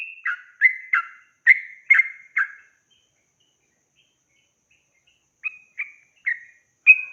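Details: Yellow-vented bulbul song meant to get young birds singing, six quick slurred whistled notes, a pause of about three seconds, then four more notes.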